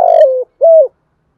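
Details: Low, hollow coos from a spotted dove giving the 'thổ' voice urging 'thúc gù' call used as a lure: one drawn-out coo is followed after a short pause by a shorter, even coo, then silence.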